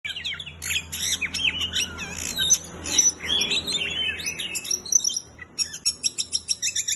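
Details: Oriental magpie-robin in very intense, nonstop song: a fast jumble of high whistles, trills and scratchy notes, ending in a rhythmic run of sharp repeated ticking notes, over a low steady hum.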